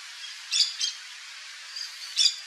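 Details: Brief, high screechy double squawk from a yellow-chevroned parakeet, Brotogeris chiriri, a faint note, then another sharp shriek near the end.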